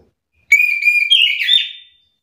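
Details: Chestnut-capped thrush in an agitated song exchange: a clear, steady whistle that bends upward into a warbled, fluttering ending, lasting about one and a half seconds.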